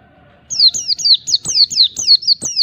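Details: Oriental white-eye giving the wild ngalas-style song used to challenge rivals: eight high, bright downslurred whistles in quick succession after a brief quiet start.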